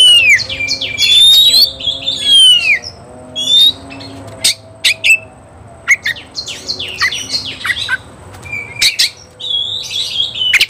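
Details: Oriental magpie-robin singing in an agitated state while seeking a rival to fight. Loud, varied whistled phrases with rising and falling sweeps, sharp chips and harsh bursts, delivered in rapid clusters separated by short pauses. A low steady hum runs underneath.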